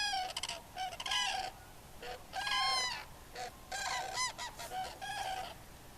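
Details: Wintering Common Cranes in the Loire valley, France, in the area between Bourges, Moulins and Sancerre; loud trumpeting calls from several birds in overlapping bursts, rich in harmonics and slightly bending, separated by brief pauses.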